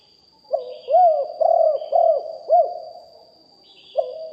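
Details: Spotted dove, a decoy bird recorded live, singing a deep-voiced 'lio hoi' style coo: low mellow arched cooing notes in quick rolling phrases, a lull of about a second, then a fresh phrase starting, over a steady faint high whine.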